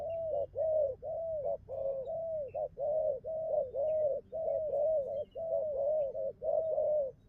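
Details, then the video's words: Spotted dove cooing in the bai ngoai song style: a steady run of low, hollow coos, each short clipped note followed by a longer arched coo, repeated about once a second for seven seconds with hardly a pause. "bài ngoài như máy,nước gù tốt"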